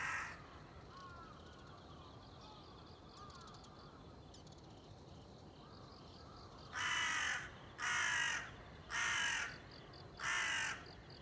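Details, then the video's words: Crow recorded 30 September 2020: after quiet background with faint high chirps from other birds, four loud raspy caws come in a steady series about one per second. "crow ,カラス,까마귀"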